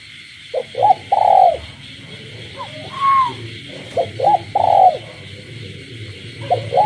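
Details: At night in a village a captive spotted dove coos beside calling frogs: two coo phrases of short notes and a long pulsing coo, separated by a brief rising whistle-like call, over a continuous high frog and insect drone.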